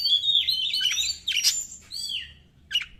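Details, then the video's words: Fiery 'konslet' song of an Oriental magpie-robin, used as a lure to stir birds lacking spirit: a rapid tumble of whistled notes and rasping bursts, a pause, then a short downslurred whistle. "PANCINGAN SUARA BURUNG KACER | KURANG EMOSI | SUARA KACER KONSLET!!!"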